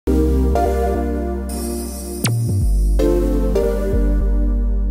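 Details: Soft electronic keyboard music with sustained chords and a sweeping glide plays, with no animal voice.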